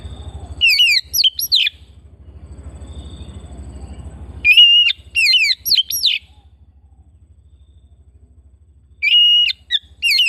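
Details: Oriental magpie-robin kept at home singing varied, rapid phrases of sweeping, twisting whistles and high chirps in bursts with pauses between, a low hum underneath.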